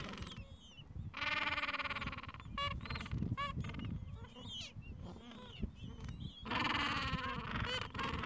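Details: Gentoo penguins at nests in a Falkland Islands colony, mild afternoon, chicks two to three weeks old; two long, loud, pulsing harmonic brays at start and end, with clusters of short sharp calls between them.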